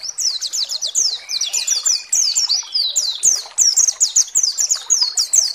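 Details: Lure song of a white-eye, played to stir other white-eyes to sing: a dense, continuous stream of thin, high, falling notes delivered at a fast, steady pace.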